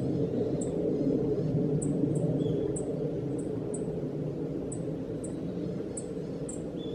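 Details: Black-faced bunting (Emberiza spodocephala) giving its call notes on 6 December 2014: thin, very high 'tsip' notes, singly or in quick pairs, every second or so, over a steady low rumble.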